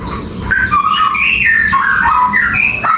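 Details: Papuan beach bulbul with a penetrating song of varied whistled notes, some sliding up, others stepping down, run together in a fast, rich phrase with little pause.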